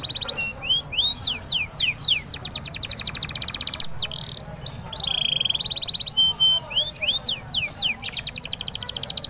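A canary sings a long, bright, unbroken song of fast rising whistles, rapid trills and buzzy rattles, with phrases borrowed from a prinia.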